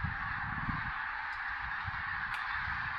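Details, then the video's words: Common cranes greeting a cloudy golden sunrise on the waterlogged Tister Bauernmoor, Germany; a constant massed trumpeting fills the air, with heavy low rumble in the first second and two brief clicks. "Goldener Sonnenaufgang mit Kranichen im Tister Bauernmoor"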